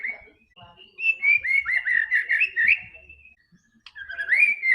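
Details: White-rumped shama song meant to get a quiet bird singing: a continuous run of warbled, sliding whistles over a steady high tone, a pause, then a rising whistled phrase; light background clicks.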